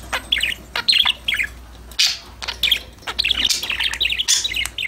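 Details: Several pet budgerigars chirping, singing and talking to each other while playing, recorded unfiltered: bursts of quick high chirps and warbled notes in short clusters, with sharp clicks between and a steady low hum underneath.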